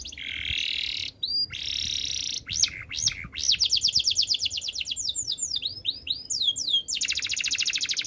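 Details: Canary song with varied tours: harsh buzzy trills, abrupt high chips, fast rattling rolls and curving swept notes, ending in a bright rapid trill; continuous and loud.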